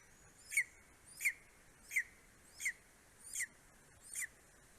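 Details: Male greater spotted eagle in Estonia delivering voles and a bird to his four-week-old eaglet, 9:02 am, 2 July 2020. Six clear, sharp downslurred yelps evenly spaced about every 0.7 seconds, fading slightly toward the end.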